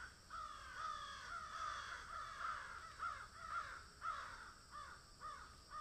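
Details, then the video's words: Harsh repeated caws from a crow feeding on food, roughly two calls a second, some caws rising then falling, delivered in an uneven run. "Crow sound"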